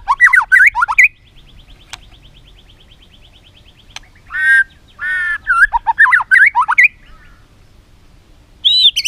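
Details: ['Filler-rich song of a white-rumped shama, meant for training other shamas to sing: quick jumbled slurred notes, a long thin steady trill, then loud grating bursts and more rapid twisting phrases.']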